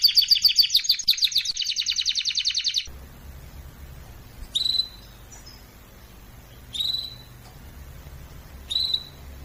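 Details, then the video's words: Canary singing for training in a fiery voice: a fast pulsing trill at first, then quiet with low hum and a few isolated descending chip notes spaced about two seconds apart. "طائر الكناري يغرد بصوت ناري canary singing training"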